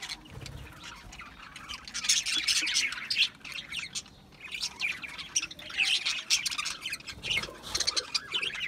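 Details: Budgerigars chattering in dense overlapping bursts of high, scratchy warbles and chirps, with loud spells around two to three seconds and again near six seconds, separated by a brief quieter lull.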